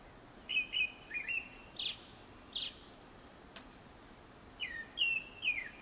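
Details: Japanese thrush song recorded before sunset, with short sweet whistled notes and trills in two groups, some notes sliding downward, separated by a longer pause, against a calm, faintly hissing background.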